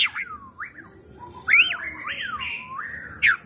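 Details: Oriental magpie-robin, used as a lure to prompt a reluctant bird to sing and open its tail: long sweeping whistled phrases sliding up and down, with a soft background hiss.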